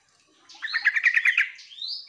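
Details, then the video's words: Sooty-headed bulbul lure call for prompting other birds to reply. A fast series of about ten bubbly, chattering notes ends in a thin rising whistle. "trucuk memanggil teman"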